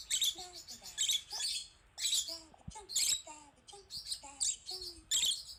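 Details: Pet rosy-faced lovebird, female, panicking at her own picture on a screen: rapid, piercing, scratchy squawks repeated about every half second, with short, falling whistle notes lower down.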